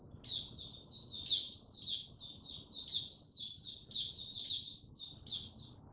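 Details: Male white-eye (mata puteh) on 6 March 2022, slowly gaining confidence before opening into full song: high, thin twittering phrases of rapid chirps and short whistled notes in quick bursts, with brief gaps between them.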